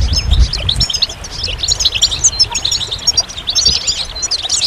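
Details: Continuous high twittering from goldfinch, with quick chirps and short buzzy trills tumbling over one another, and a muffled low thump near the start.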